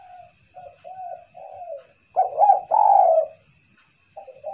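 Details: Spotted dove call used as a lure: soft, short low coos lead into two louder, fuller cooing notes, then a quiet pause and a final coo, with a faint constant whine behind.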